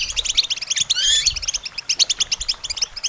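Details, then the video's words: Goldfinch song for songbird training: quick rhythmic high chirps in fast runs, with a brief rising whistled slur in the middle, then clipped staccato notes at a steady pace. "Goldfinch Training With Stimulating Support for Songbirds"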